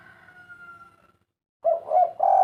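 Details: Spotted dove cooing in the 'kuk 3' manner: a thin, faintly falling whistled tone and low murmur come first, then three loud, low, soft coos follow in quick succession.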